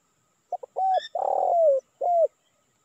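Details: Lure call of a spotted dove, used to attract wild birds in Indonesia: a quick pair of short coos and a level note, then a long, hoarse, falling coo ending in one shorter mellow note.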